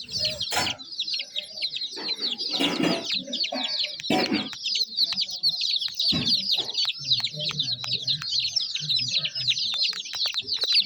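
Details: Young chickens chirping as a flock, a continuous wash of high thin peeps, interrupted by several brief loud rustling bursts and a soft low hum near the end.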